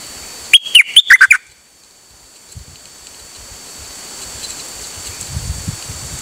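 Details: Pied fantail song recorded 8 September 2023, one short burst of five or six sharp notes stepping down and up, followed by quiet with soft rustling and low thumps in the background.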